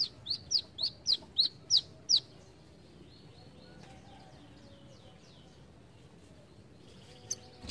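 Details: Brown-throated sunbird giving a short burst of seven loud, high, slurred notes, followed by quiet background with faint distant chirps and a final sharp note.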